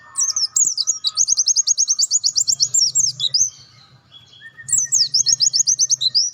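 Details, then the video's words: Mountain white-eye (pleci dakun) song in full 'nembak' style: rapid high trilled phrases of fast repeated notes, bursts separated by a short pause, with a soft low hum in the background. "PLECI DAKUN FULL NEMBAK COCOK MASTERAN G12"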